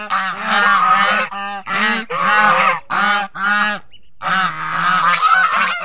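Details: Protective adult geese guarding goslings honk loudly in long, harsh, blaring calls, several in quick succession with a brief pause midway, then overlapping honks resume.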